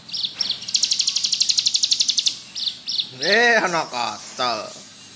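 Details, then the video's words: Bar-winged prinia, known as ciblek gunung, singing in ngebrem style as tutor song. A fast high pulsed trill for about two seconds, then scattered notes while a human voice talks over the end. "Burung ciblek gunung gacor ngebrem"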